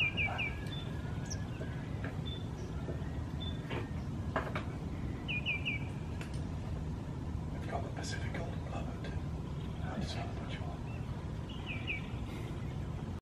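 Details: Terek sandpiper (Xenus cinereus) at Mai Po, Hong Kong, 30 April 2016, giving quick, fluty bursts of three or four descending notes, three times over a steady low rumble of wind or distant traffic.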